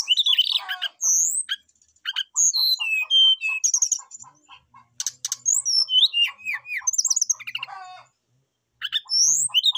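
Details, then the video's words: Brown-chested jungle flycatcher calling a rival, singing steadily with packed inserted phrases; varied high whistles, descending slurs and buzzy rattles over a steady series of low ticking pulses, with a short pause near the end. "srdc memanggil lawan jadi gacor, sikatan rimba dada coklat gacor full isian"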